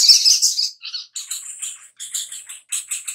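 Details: Little spiderhunter (sogok ontong) used as a lure so birds answer and sing. It opens with a loud, hissing high burst, then a rapid run of thin, very high ticking notes in short clusters, nearly three per second.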